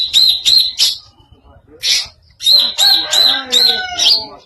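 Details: Greater green leafbird with a strange voice, delivering clipped high whistled chirps in quick series, with a short pause and a faint lower tonal note underneath the later chirps.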